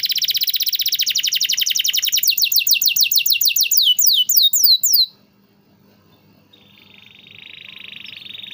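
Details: Canary song for prompting reluctant canaries to sing: a fast rattling trill that slows into wide swooping notes and breaks off, followed by a faint, thin sustained tone.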